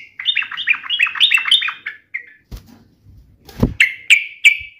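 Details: Yellow-vented bulbul answering a rival: a quick bubbly warbled phrase, a brief knock and rustle, then several sharp ringing chips.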